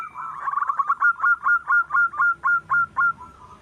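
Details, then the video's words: Local wild zebra dove, song used to lure other birds: a quick stuttering start, then about ten evenly spaced, slightly rising cooing notes, roughly two per second. "suara perkutut sedang mantap untuk pancingan"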